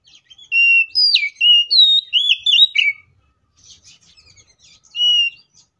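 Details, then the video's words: Oriental magpie-robin delivering an aggressive, full fighting song for prompting other magpie-robins: a dense two-second run of bright whistles and swooping slurs, then soft scratchy chatter and one final clear whistle. "KACER GACOR FULL ISIAN MEWAH TARUNG NGEPLONG NGOTOT❗PALING AMPUH BUAT PANCINGAN KACER AGAR BUNYI!"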